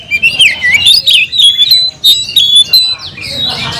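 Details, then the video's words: Oriental magpie-robin in a cage, singing loud clear whistled phrases, rising and falling slurs and sharp upward sweeps, delivered in quick separate bursts, with a faint low hum behind. "kacer gacor nagen sampe leklok"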